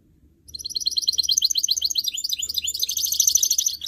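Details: Goldfinch mule, hybrid of canary and goldfinch, trained to sing: a loud, continuous run of quick, high chattering notes and trills lasting over three seconds, pulsing several times per second.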